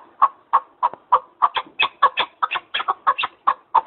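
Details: Partridge giving a series of harsh, clucking chuck notes, about three per second, each note broad and centred low-mid, in an even rhythm against a quiet background.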